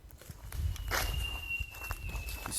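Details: A Dark-backed Sibia on the cold west side of Doi Lang, Chiang Mai, Thailand, gives its eerie, haunting song: one long, thin, steady whistle dipping slightly near the end, with loud footsteps crunching underneath.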